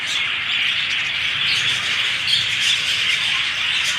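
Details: A flock of budgerigars in a walkabout aviary at a zoo in Monroe, Louisiana, at feeding time keeps up a steady, dense wall of high chirps and warbles, many birds calling over one another with no pause.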